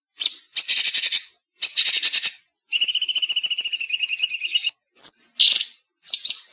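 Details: Edited clean master recording of a cucak cungkok bulbul singing in a fast, dense, sharp style: bursts of buzzy high rattling notes, then a long rapid trill of stacked whistled notes, then short clipped phrases with pauses.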